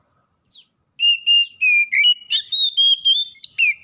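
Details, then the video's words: Oriental magpie-robin, wild and domestic birds answering each other in full vigorous song: one thin downslurred note, then a rapid run of about nine loud, clear whistled notes, flat and gently wavering, some slurring down at the end. "KACER ALAM LIAR DAN KACER RUMAHAN SEKALI DENGAR LANGSUNG NYAUT BUNYI GACOR"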